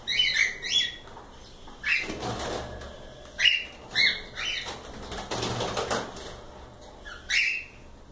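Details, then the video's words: Cockatiels calling with sharp whistled squawks and short slurred notes, interrupted by bursts of wing flapping in the middle of the passage. "Calopsitas Live Canto dos pássaros"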